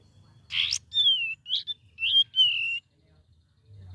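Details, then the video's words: Sooty-headed bulbul, a young bird practising its song, gives a burst of harsh noisy note followed by clear whistled slurs falling in pitch, then a long level whistle before silence. "KAPAS TEMBAK BELAJAR GACOR PENUH VARIASI"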